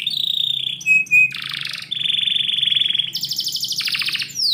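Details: Canary singing indoors in the morning: a long run of rapid trilled phrases, steady high buzzing rolls shifting abruptly between pitches, with two short loud whistled notes near the middle.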